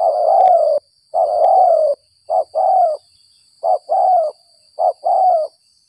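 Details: Spotted dove lured after rain, calling in the 'gagap 6 mata' stuttering style: two long, low, mellow coos, then three paired phrases of a short clipped coo followed by a longer falling coo, with clean pauses between them.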